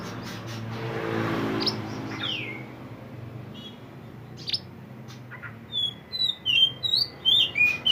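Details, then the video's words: Mountain mantenan bird recorded as tutoring song for songbirds: scattered faint chirps and one downslurred whistle early on, then a clear run of repeated sharp whistled notes over the last two seconds. "mantenan gacor burung masteran / chirping sound bird"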